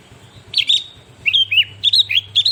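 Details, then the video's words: Sooty-headed bulbul (kutilang) singing a varied song after being tutored with recorded songs: clear whistled notes with quick rising and falling slurs, delivered in short bursts of two to three notes, a steady low hum underneath. "kutilang Fariasi ribut!!! setelah di masterin burung kutilang ini!?"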